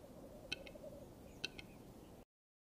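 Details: Western capercaillie in the mating season ritual: two crisp double clicks about a second apart against a low, even rumble.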